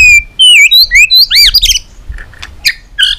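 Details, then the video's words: Competition song of a fired-up white-rumped shama, tail flicking, with many forest voices: loud ringing whistles, wavering and arched notes in quick succession, then softer scattered chips. "chòe lửa tạch đập đuôi kích lửa hót đấu căng lửa.luyện chòe lửa hót nhiều giọng rừng dài"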